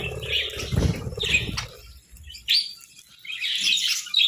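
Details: Budgerigars sunbathing, uttering a few separate high, scratchy chirps with short pauses between them, after a burst of low rustling and bumping.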